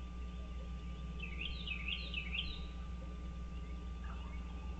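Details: Wild American bald eagle at a nest on Dale Hollow Lake, a reservoir on the Kentucky-Tennessee state line, heard on 30 March 2023 at 06:09; a quick series of high chittering notes, over steady electrical hum.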